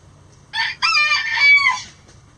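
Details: Pre-dawn rooster crow near the coop as the flock flies out: a loud, bright crow lasting about one and a quarter seconds, with a short opening note, a brief break, then a long ringing phrase that falls away.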